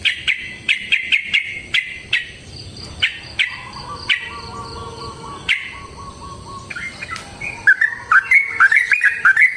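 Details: Yellow-vented bulbul giving a long fighting song, meant to provoke other bulbuls to answer: rapid chirped notes in quick runs, a steady mid-pitched insect-like trill underneath in the middle section, then a faster jumbled flourish at the end.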